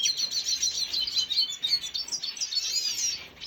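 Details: Red siskin recorded on 5 June 2022: dense, high twittering chirps and short buzzy notes run almost without pause, with a brief lull near the middle before the chatter resumes.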